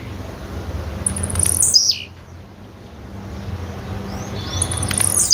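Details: Calls of a female blue-black grassquit (tiziu): a high, thin falling slur, then after a pause soft rising notes and the start of another high slurred call, over low hum.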